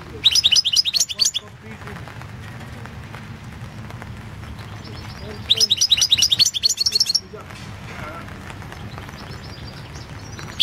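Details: Recorded for the 2016 internet World Championship in Goldfinch Song, a European goldfinch delivers two rapid, glittering bursts of high twittering, with a faint, high thin phrase near the end over steady low background hum.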